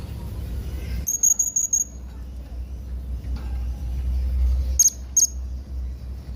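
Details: High, piercing squeaky notes from a yellow-throated hanging parrot: a quick run of five, then a pause, then two sharper single notes. A steady low rumble runs beneath.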